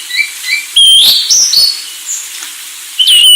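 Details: Anis Sulawesi giving soft short whistles, then loud slurred whistled phrases, a quiet pause, and a final loud downward whistle.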